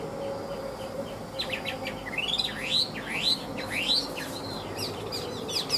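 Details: Tame Chinese hwamei of "ngũ trường" five-part song style, rated a good fighter, giving a series of steep rising whistled sweeps spaced about half a second apart amid soft chirps.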